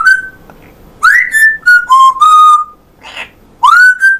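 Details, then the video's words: Pet male African grey parrot from Yorkshire, northern England, vocalizing in clear voice at home: short, pure whistle-like syllables, some swooping upward, others held level, in a quick broken phrase with a breathy burst between. "English Accent African Grey. Amazing voice!"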